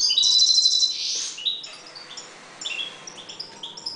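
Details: European goldfinches calm and breeding in a 1.2 m cage; a loud bright burst of high twittering opens, then scattered short tinkling chirps and trills continue at a lower level.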